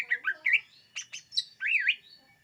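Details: Greater green leafbird song meant to attract birds: quick slurred whistles and chirps, ending in a loud wavering whistle that rises and falls twice.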